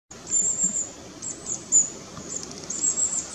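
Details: Long-tailed tits in a tree, parents feeding and herding scattered fledglings as they move, recorded 4 May 2016 on a Nikon Coolpix P900: very high thin trilling notes in short bursts, over steady low background noise.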